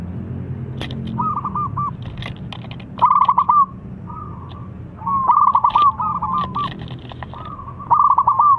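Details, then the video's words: Singing zebra dove, noted for a crystal-clear voice and used to lure silent doves into song: repeated phrases of rapid, stuttering coos ending in a drawn-out note, a low hum and scattered high chirps behind. "Perkutut Idaman Selau Menjadi Incaran Suara Kristal Cocok Jadi Pancingan Yang Malas Bunyi"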